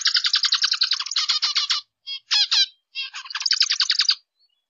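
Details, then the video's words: Zebra finch with a long fast series of buzzy stacked notes, then two or three separate nasal calls with pauses, followed by another rapid buzzing run; quiet background. "Zebra Finch sounds"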